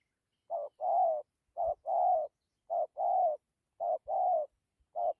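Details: Low, gentle cooing of a spotted dove ('thổ') in 'dặm' and 'gù' style: paired notes, a quick clipped coo then a longer steady one, repeated about once a second, with light knocks underneath.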